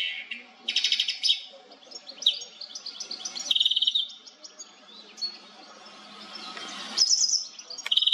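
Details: European goldfinch (Carduelis carduelis) song from a Nikon Coolpix P1000 recording: continuous bright twittering with quick trills, chattering notes and buzzy high phrases, rising and falling in loudness across the clip.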